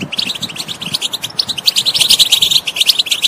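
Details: Goldfinch song intended to stir a bird that will not sing: hurried high chirps and liquid trills, growing louder and denser toward the end.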